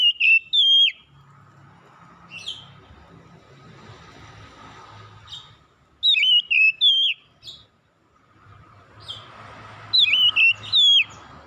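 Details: Morning song of an Oriental magpie-robin, whistled phrases of three to four sharp rising and falling notes in bursts separated by pauses of several seconds, over a low background hum.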